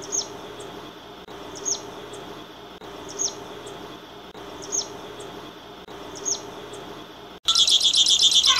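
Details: Misto, or canario tipio, singing: a short high chirp repeats about every one and a half seconds over a steady low hum, then a sudden loud, dense, high trilled burst of song fills the last second.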